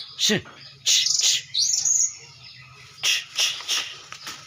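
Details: Oriental magpie-robin song opens with a sharp downslurred note. Harsh, high buzzy bursts and a thin rising whistle follow, then a run of quick scratchy chattering notes after a pause.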